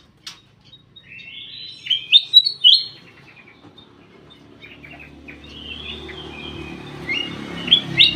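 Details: Ruby-throated bulbul in a private aviary: after a faint click, bright warbled whistles and chirps near the upper range, loudest around two to three seconds, then softer rambling notes with a low hum beneath.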